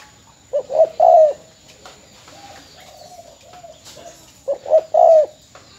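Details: Spotted dove decoy bird from Ben Tre, Vietnam, kept caged and since sold: two groups of low hoarse cooing notes, each a short pair of hoots and then a longer drawn-out coo, separated by quiet.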